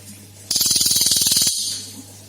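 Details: A single one-second burst of cililin song from a lure recording, a dense rapid trill of harsh pulses rising out of a steady low hum.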